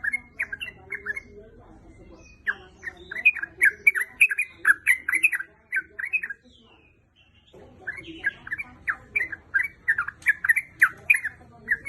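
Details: Female sooty-headed bulbul calling to a male with busy chattering, bubbly notes in fast runs, a brief pause midway, then another energetic burst; faint high ticking above.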